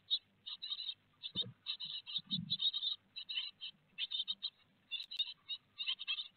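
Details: Great tits at a nest box in Théding, France, on 4 May 2021, with a big peanut on the menu: bursts of short, bright, harmonic notes repeated rapidly in clusters, and low scratching and rustling inside the box.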